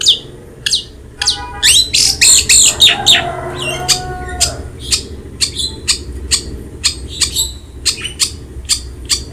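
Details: Long-tailed shrike in vigorous song, used as a training recording to prompt a quiet shrike to sing: rapid sharp high chirps and harsh buzzy squawks, with a few whistled notes mixed in early, repeated in quick irregular bursts.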